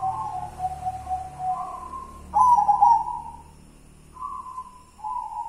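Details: Manyura-style cooing by a white zebra dove (perkutut putih) of local stock: level soft coos, a louder trilled phrase in the middle, then steady notes, over a low rumbling background hum.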